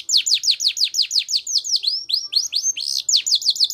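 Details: Canary singing 'gacor', in the 'cengkok mewah' style: a steady series of high, downward-slurred whistled notes at about four per second, shifting midway into longer upward-sweeping notes before the falling notes return.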